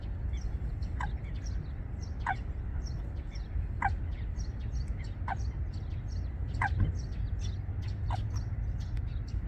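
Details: A Eurasian coot of a pair building a nest among water plants at Wangsong Lake gives short, sharp, falling calls every one to two seconds, over a heavy low rumble with faint high ticking from other birds.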